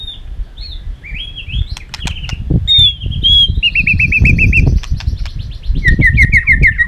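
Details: Fighting song of a white-rumped shama, used to provoke wild-caught birds into singing: sliding whistles, then rapid repeated bright notes in two bursts, over loud wing flapping and thumping.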